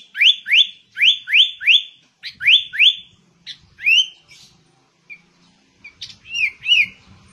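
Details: Sooty-headed bulbul in steady ngegaruda-style song: rapid series of bright upward-sweeping whistles repeated about four per second, then scattered softer slurred notes and a final pair of rising whistles; faint low rumble beneath.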